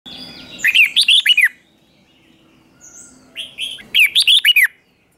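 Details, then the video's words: Red-whiskered bulbul singing in morning training for contest singing: two bursts of bright, rapid warbled phrases of about eight notes, separated by a quiet gap with faint other bird notes. "Luyện chào mào hót sáng | chào mào hót đấu"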